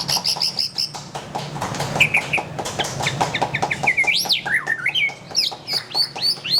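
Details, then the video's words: White-rumped shama song opening with a fast row of repeated high notes, then short chirps and looping rising-and-falling whistles, accompanied by steady clicking background noise. "SUARA BURUNG : Pilih Murai Batu Gacor"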